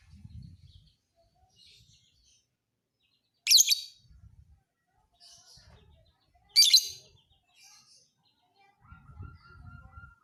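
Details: Piercing high chirps from a fighter lovebird used to train other birds, two sharp bursts three seconds apart, soft clatter around them and a faint steady tone near the end.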